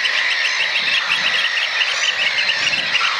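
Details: Three juvenile Eurasian oystercatchers huddled together, likely nestmates, practising piping, a display used in competition for food; an adult occasionally joins the huddle. Rapid, dense run of shrill repeated notes from several birds, continuous throughout.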